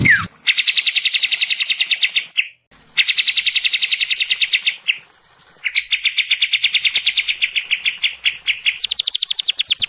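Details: Songbird in a masteran training song recording: fast, even, buzzy trills repeated in long bursts, broken by two brief pauses, then a higher, quicker trill at the end.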